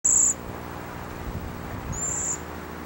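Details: Cedar waxwing on a small island near Winter Harbor, Maine, giving two very high, thin, lisping notes about two seconds apart, over a faint low hum.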